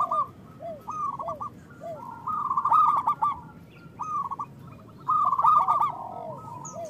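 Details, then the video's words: Zebra doves, local Indonesian birds, sing as a lure for trapping and for encouraging silent birds: arched cooing notes repeated alongside two loud rapid trilled phrases, several doves overlapping. "Perkutut lokal gacor Suara Besar Pancingan Untuk Pikat dan Malas Bunyi"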